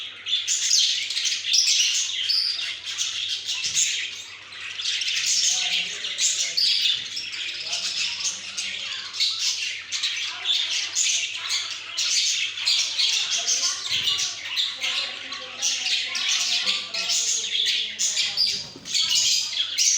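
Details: Pet budgerigars, recorded 28 October 2023 during an hour of activity, chatter continuously with dense, scratchy warbles and bright chirps.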